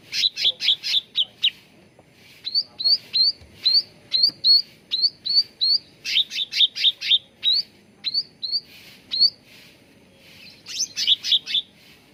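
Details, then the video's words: Cucak ranting bulbul singing as a lure and training model to make young birds sing readily: bright, high chirps in rapid bursts of four to six, alternating with slower single rising notes, repeated throughout. "SUARA PANCINGAN CUCAK RANTING BAHAN AGAR CEPAT GACOR"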